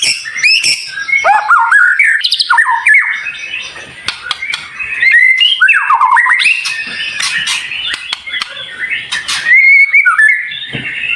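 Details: Tutor recording of white-rumped shama song with dense, sharp, high-pitched fills, made to prompt shamas to open their beaks; rich varied whistles, sliding notes and squawky phrases, with a short quieter stretch in the middle.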